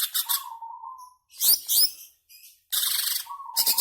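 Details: Greater green leafbird singing, used as provocation to set caged birds singing: harsh, high scratchy chatter bursts broken by a level whistled note and short bright chirps, with brief silences between phrases.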